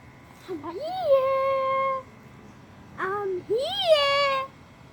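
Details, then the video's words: A pet parrot gives two voice-like, laugh-like calls, rising then long-held, rich and nasal, separated by a short hoarse burst. "bird laughing like crazy"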